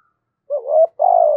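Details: Spotted dove of the 'thổ sấm' voice type, delivering a clear coo phrase: a wavering rising first note, a brief gap, then a long, even, pulsing hoot, in otherwise quiet surroundings.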